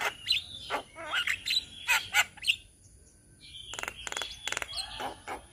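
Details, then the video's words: Group of Indonesian black-winged mynas: bright whistles mixed with harsh scratchy bursts, a brief quiet pause, then stuttering rattled notes and a level whistled tone, with faint chatter underneath. "Kicauan Burung Jalak Kebo Indonesia"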